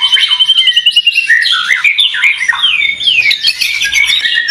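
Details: Fighter white-rumped shama for singing contests opening with a quick rattling trill, then looping whistled slurs rising and falling, followed by busy chirping phrases that keep changing.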